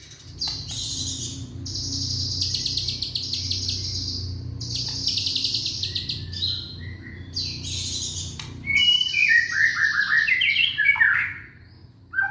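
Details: Young white-rumped shama from Indonesia, song played to encourage other shamas to sing: long buzzy harsh bursts with low background hum, then a fast rising and falling whistled run near the end.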